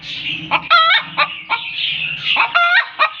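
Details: Hen cackling after laying an egg: clipped clucks separated by two loud, strained, nasal squawks that rise and then hold, with a brief pause between the bursts.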